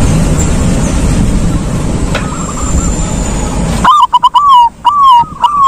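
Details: Silver zebra dove in the ngalung style: after several seconds of rumbling noise and a faint distant dove, a loud phrase of quick stuttering coos and long level coos begins.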